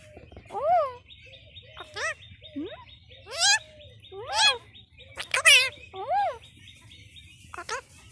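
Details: Parrot vocalizing while being prompted to talk: a string of rising and falling whistled, harmonic-rich calls and squawks, roughly one every second, with quiet human voices and a steady background hum.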